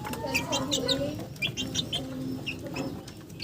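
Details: Chickens heard close by: short nasal clucks and a few drawn-out level notes, mixed with scattered high chirps from other birds in the flock.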